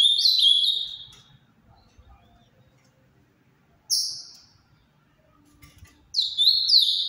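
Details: Ultramarine grosbeak of the Paraná variety, captive bred, singing a quick cascading warble, then a lone sharp falling whistle after a long gap, and the warbled phrase beginning again; quiet background.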